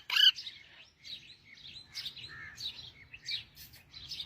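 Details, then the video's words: Parrot song beginning with a sharp, bright whistled note, then a quieter sequence of warbled high chirps over a faint low background hum. "parrot singing"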